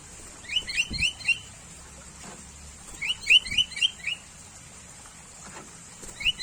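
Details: Sooty-headed bulbul song: two clustered runs of bright, upward-sweeping chirps, each run of about five notes, separated by a pause of roughly two seconds, over soft background hiss.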